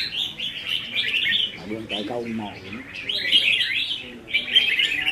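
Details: Contest singing by caged red-whiskered bulbuls on 15/5/2021: bursts of lively chattering warbles with short pauses between them, and a person speaking quietly in the background.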